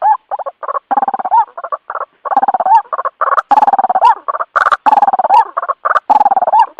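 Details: White-breasted waterhen giving a loud series of rapid, gurgling croaks in short bursts separated by brief pauses, with some notes bending up and down in pitch.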